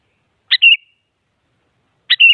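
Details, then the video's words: Two matching short phrases from an active sooty-headed bulbul singing to draw rivals into song, each a sharp clipped note followed by a smooth, warbling whistle, about one and a half seconds apart. "Suara Burung Kutilang Paling Aktif Memaksa Lawan Agar Bunyi Jadikan Kutilang Ikut Gacor"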